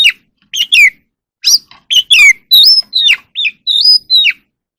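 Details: Wild oriental magpie-robin singing and dancing in the evening: separate clear whistled notes, some rising and some sliding down, spaced by short pauses, with a few sweet level whistles near the end.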